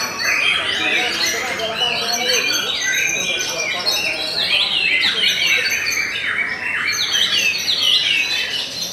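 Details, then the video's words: White-rumped shama of the type called Murai Batu Belanda, described as singing steadily: a dense, unbroken run of rapid chirps, trills and sharp whistled notes, crowded and overlapping without a pause. "TOP CERR🔥 Murai Batu BELANDA Memang TOP - Masih Stabil"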